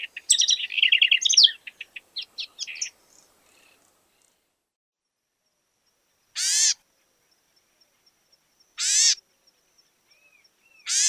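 A House Wren gives a fast, bubbling jumble of high notes for about three seconds, then three harsh, raspy churrs spaced a couple of seconds apart.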